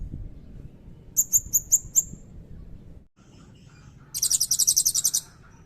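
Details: Blue-crowned hanging parrot in loud cililin-fill song: five sharp, high, evenly spaced chips, a pause, then a fast buzzy trill of about a dozen pulses.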